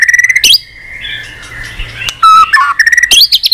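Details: White-rumped shama with a long-lasting, varied song of unusual voices, flicking its tail on a perch. Short rattled notes lead into a steady whistled tone, then clear slurred whistles and a final burst of high chirps.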